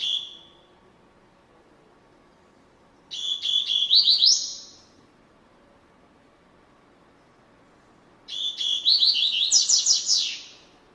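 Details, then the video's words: Rusty-collared seedeater (coleiro) singing a classic-style song in Brazil: two bright, fast, whistled phrases of rapid notes rising toward the end, separated by a few seconds of quiet background. "#coleiro cantando #coleiro canto clássico"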